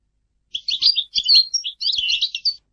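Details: A European goldfinch sings a short burst of tangled, tinkling twitters in three quick phrases, with faint soft knocks in the background.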